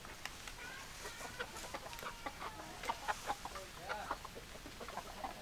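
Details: Hens clucking quietly in a loose, uneven series of short low notes, a few slightly drawn out, over a steady hiss with scattered sharp clicks.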